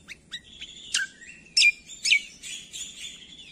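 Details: Leafbird called cucak kombo, singing on a recording for training songbirds: scattered high chips, then loud sharp notes with drawn-out whistled tones, vigorous and irregular.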